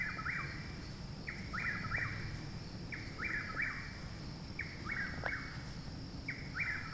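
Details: Loud nearby chuck-will's-widow in Parkersburg, West Virginia, 29 May, a month after arrival: five clear whistled three-note phrases, each dipping then rising, come about every 1.6 seconds above a low background rumble and a thin high buzz.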